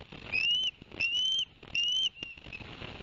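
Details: Osprey from the Barnegat Light nest cam, 11 September 2021, after the male brought two fish: three clear upslurred whistles, each about half a second long, evenly spaced.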